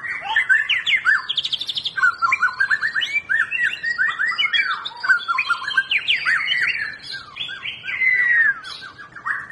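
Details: White-rumped shama song meant to prompt a reluctant bird into full singing: a rich, fast run of varied whistles, slurred upswept notes and short trills, phrases packed closely with few pauses and a long sliding whistle near the end.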